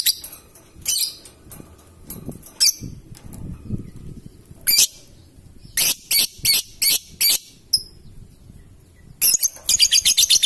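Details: Ngekek trill from a lovebird: scattered sharp high chirps and clipped notes, a brief pause, then a quick stuttering series of shrill notes that ends in a rapid trill.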